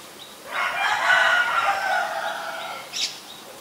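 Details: Black-collared starling in Ubon Ratchathani, Thailand, 17 April 2022, giving one long loud harsh call of about two seconds, grating and rich in overtones, followed by a brief sharp high note.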